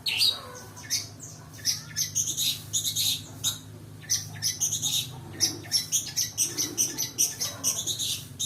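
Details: Long-tailed Shrike lure song packed with fill-ins: a dense, fast run of mixed chattering, scratchy and squeaky notes, nearly continuous for over eight seconds, with a low hum underneath.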